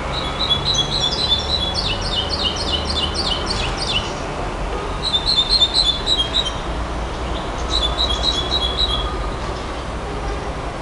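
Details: A nightingale sings fast trills of clipped, ringing notes, a long opening run followed by two shorter bursts, with steady background hiss throughout.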